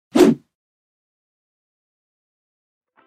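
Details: A single sharp thwack at the start, then near silence with a faint tiny click at the very end; no animal voice is heard.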